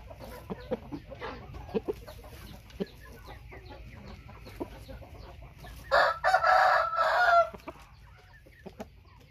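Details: Thai white-tailed rooster crowing amid scattered clicks and soft background noise. A single harsh, strained crow of about one and a half seconds comes near the end.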